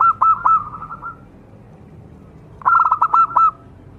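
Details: Actively singing local zebra dove, used to get other zebra doves singing fast: two short phrases of stuttering coo notes flowing into a level purring trill, separated by a quiet gap.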